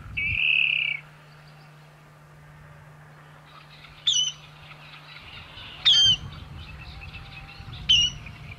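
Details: Water rail: an opening harsh squealed note, then after a pause three short, sharp, high, abrupt calls roughly two seconds apart, with faint background noise and a low steady hum.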